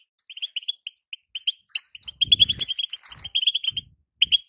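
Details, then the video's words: European goldfinch female's batbata call, played to get a caged male singing: spaced high chirps that quicken into a dense run over a low rumbling knock, then a final pair of notes. "بتبته انثى الحسون تخلي يزلزل القفص من التغريد"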